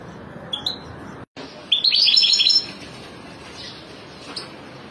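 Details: European goldfinch family, bright tinkling twittered notes in a quick burst of repeated chirps midway, preceded by a couple of short high calls, over steady background noise with a brief dropout.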